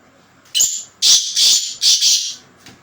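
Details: Black francolin calling: one short sharp note, then two loud harsh, raspy high notes, the second broken into two parts, the whole phrase lasting about two seconds, close and clear.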